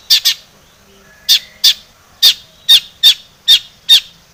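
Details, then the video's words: Long-tailed shrike, a lure recording meant to provoke singing: harsh, broadband chattering notes in pairs and singles, about eight bursts spaced under half a second apart, with a faint low hum beneath. "SUARA cendet gacor ATATCLETAT pancingan cendet agar bunyi emosi JADI burung pentet gacor full isian"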